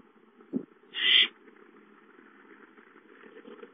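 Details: An owlet in its nest on 5-9-13 utters one short, rasping, hiss-like screech. A brief low thump comes just before it.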